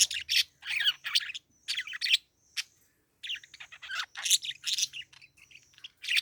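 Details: Bright, high parakeet chirps come in quick clusters of squeaky warbles and short tweets, broken by brief silences, with a faint low hum underneath.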